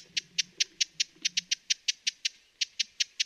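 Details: Broad-billed hummingbird, a small hummingbird of Mexico and the southwestern United States, calling in a rapid string of sharp clicking chips, around five per second with one short break. A low hum runs underneath.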